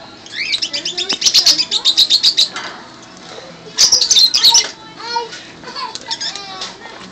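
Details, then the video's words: Provoked parrot giving rapid bursts of harsh, chattering high-pitched calls in two loud volleys, interspersed with softer squeaky whistles and chirps, over a constant low background murmur. "Provoking the Parrot"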